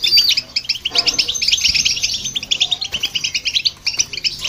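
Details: European goldfinch singing together with a hybrid, played to stimulate other birds: fast, dense twittering of high, bright chirps and short trills running almost continuously, with brief pauses near one and three seconds.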